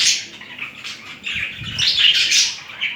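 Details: A pair of budgerigars during mating, with romantic movements between the two birds: a continuous, bright, scratchy warble of quick chirps and twitters runs through the clip, swelling louder in its second half.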